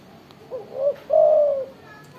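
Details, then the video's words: Loud-voiced spotted dove giving one full coo phrase: two short rising hoots followed by a longer, smooth, slightly falling low coo, in a quiet setting. "tekukur gacor suara besar"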